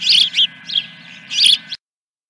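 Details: Osprey calling at a nest on 3 May 2021 around 8 a.m., during the first fish: sharp, high whistled chirps in two quick bursts, a pause, then another ringing burst, over a steady electronic hum.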